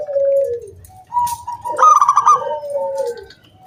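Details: Zebra dove, a local wild perkutut, sings 'kung bulat' song meant to coax other doves into singing. A soft descending coo, then a higher sustained note with a quick trill, ending in another falling coo; a second voice overlaps.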